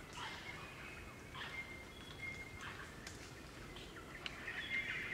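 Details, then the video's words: A group of crimson rosellas in Barrington Tops National Park, New South Wales, Australian bush, give short, harsh chattering notes in irregular bursts over a thin, steady high whistle and constant low background rumble. "Crimson Rosella Calls & Sounds"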